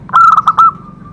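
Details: Zebra dove song used as therapy to prompt other zebra doves to sing: five loud, hollow, fluted notes in quick succession, the last drawn out and fading into a thin steady tone.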